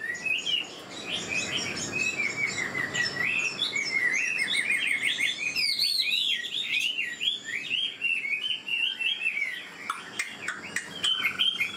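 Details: Wild-caught old Chinese hwamei singing fast and richly: a long unbroken sequence of clear, looping whistles, first lower and sliding, then higher and more jumbled in quick bursts.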